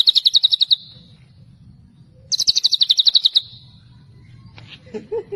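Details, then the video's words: White-rumped shama, tembakan celilin style: two volleys of rapid high-pitched repeated notes about a second long, separated by a pause, with faint lower chirps near the end and a steady low rumble. "MURAI BATU TEMBAKAN CELILIN"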